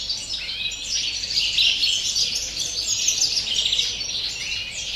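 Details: Dense, unbroken twittering from a European greenfinch in campero song style on 30 December, about three to four quick chirps per second, high bright trills merging into a rolling chatter.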